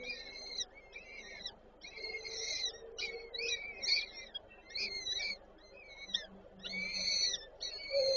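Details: Female peregrine falcon feeding chicks at the nest, Warszawa Żerań, Poland, 8 May 2023: short, high, strained calls repeated roughly once a second over a faint low hum.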